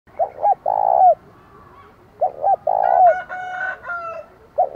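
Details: Decoy spotted dove in the 'giọng thổ' voice style, giving a loud challenging call used to provoke wild rival doves: low hooting coos, two short notes then a long drawn note, repeated about every two seconds, with another bird chirping over one phrase.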